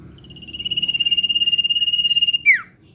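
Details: A lure recording of a common iora singing in the 'ngetir' trilling style. A single drawn-out, rapidly pulsed high whistle swells in loudness, then snaps into a quick falling slur.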